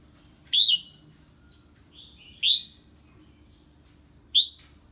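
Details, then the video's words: Red-whiskered bulbul singing when a strange bird is heard: three bright whistled notes about two seconds apart, with faint softer notes between and a low steady hum. "Chào Mào Hót Ché Khi Nghe Tiếng Chim Lạ"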